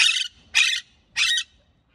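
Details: Parakeet giving three harsh, buzzy chirps in quick succession, each about a quarter second long, separated by short pauses in a quiet room.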